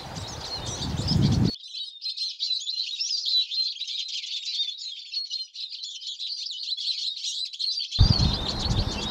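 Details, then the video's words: Eurasian siskin singing: a dense stream of twittering, buzzy high notes in rapid succession, with low rumbling background noise only at the start and end. "Čížek lesní, Eurasian siskin, Erlenzeisig, Sijs, Чиж, Czyż zwyczajny, Tarin des aulnes"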